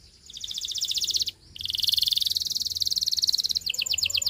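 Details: Belgian canary singing: a fast, buzzy rolled trill, a brief pause, then a long, even, high trill that shifts into a quicker pulsed tour at the end.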